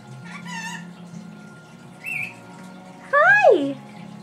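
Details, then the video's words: Pet female lory mimicking its owner's sounds: soft harmonic whistles, a brief higher note, then a loud, rich whistle that rises briefly and slides steeply downward, with faint low hum behind. "the talking Lory"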